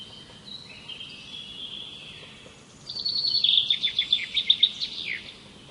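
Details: Birdsong offered as relaxing listening: a thin drawn-out whistle, then a loud fast series of sharp repeated notes that falls slightly at the end.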